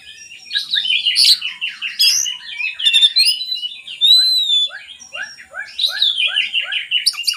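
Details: Oriental magpie-robin song used to lure lazy magpie-robins into singing: rich, varied whistles and buzzy trills, with a run of short, evenly spaced, down-slurred lower notes in the second half and a clear rising whistle near the middle.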